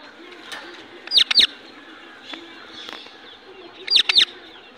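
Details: Indian ringneck parakeet making short, sharp, high clicking notes in quick pairs, one pair near the start and another about three seconds later, over a quiet background.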